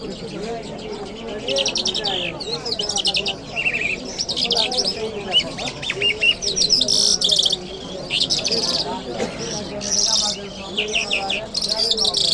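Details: Friday-morning lark song in Kabul city: repeated buzzy trilled phrases and a few descending whistles, delivered in bursts, with steady human chatter clearly audible underneath.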